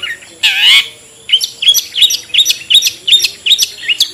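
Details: Long-tailed shrike singing in the ngetet style, used as a lure to prompt sluggish caged shrikes to sing. A loud harsh burst is followed by a rapid series of sharp, rising chirped notes, about eight in three seconds.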